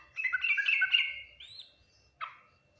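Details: Yellow-vented bulbul song in the full Ngriwik Nguplik Tuklik-Tuklik style: a chattering, bubbly phrase of rapid notes lasting about a second and a half, followed by a lone sharp downward note after a brief pause.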